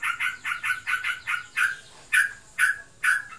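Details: Pet sooty-headed bulbul in breeding condition: a quick burst of harsh chattering notes slows into separate, louder rasping calls spaced about half a second apart, in the style described as ngebren.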